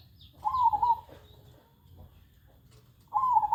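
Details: Two burbling, wavering coos from a zebra dove, separated by about two and a half seconds of near silence; faint bird chirps sound at the start.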